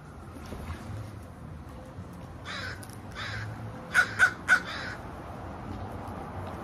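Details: Crow giving a few faint harsh caws, then three loud, rasping caws in quick succession near the end, over quiet background noise.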